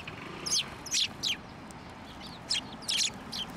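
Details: Sparrows at a shrine, coming to a hand to be fed in December: scattered high, sharp chirps in short groups separated by brief silences, over a low rumbling background.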